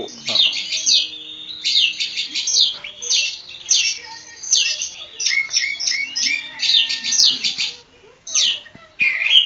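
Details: Steady stream of rapid, chattering high phrases and clear slurred whistles from an Oriental magpie-robin of the Javan kacer poci kind, with barely any pause until a short silence near the end.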